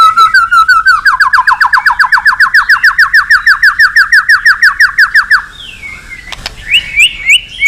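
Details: Agitated male white-rumped shama from Indonesia, song rich with imitated phrases, used to provoke other birds to sing: a fast run of rising chipped notes, then a sharp click and higher whistled slurs.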